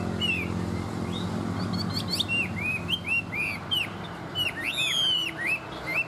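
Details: A tame Chinese hwamei in good song sings a rich, varied run of clear whistles and slurred, looping notes, rising to a loud burst near the end, over a low background hum.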